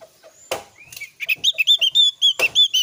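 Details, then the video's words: Oriental white-eye (opior) lure song, meant to prompt young or untrained Javan white-eyes to answer. A rapid run of bright, chirpy notes follows a sharp knock and a thin whistle. Further knocks sound in the background. "SUARA PANCINGAN BURUNG OPIOR GACOR JOS NGEPLONG"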